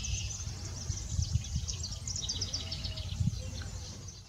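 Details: An ovenbird at Long Point, Ontario, Canada, on 9 May 2018, gives a quick run of high, sharp repeated notes against a steady low rumble of wind or distant noise.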